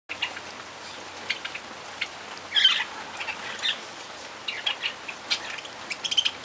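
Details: Barred parakeets giving short, high chirps and brief squawks scattered through the clip, with a louder burst of chattering near the middle, over a steady hiss like rain.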